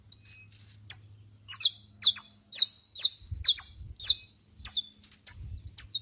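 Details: Saffron finch song set outdoors: after a quiet start, a long run of strident, high, downslurred notes repeats at a brisk, slightly uneven pace. A low hum and soft knocking sounds are in the background.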